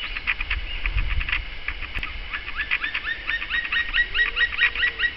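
Black woodpecker giving quick, overlapping series of harsh, slightly downslurred notes, more than two per second, over a low rumble of wind.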